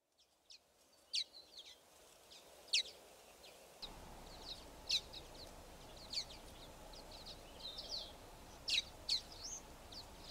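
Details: A flock of Common Waxbills gives contact calls and song: thin, high chips at an irregular pace with a few short buzzy phrases mixed in, and a steady background hiss starting partway through.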